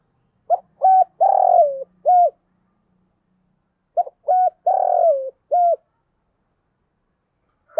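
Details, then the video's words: Decoy spotted dove cooing to entice wild doves. Two matching phrases about three seconds apart, each with short clipped coos, a longer falling coo and a final short coo. The phrase is deep, mellow and evenly repeated. "chim cu mồi thúc gù bài bản nhất hiện nay, chim cu gáy kích bổi hiệu quả nhất hiện nay"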